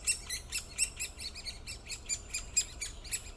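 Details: Great spotted woodpecker: short, sharp, high 'kik' calls repeated roughly twice a second, each a crisp click, over a faint low hum.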